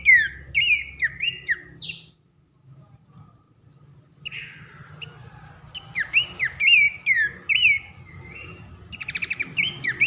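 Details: Abbott's babbler delivering loud 'nembak nyiul' song: clustered downslurred whistles, a two-second silence, then faint notes building into bright, looping whistled phrases and a quick rattle of short ticks, over low background hum.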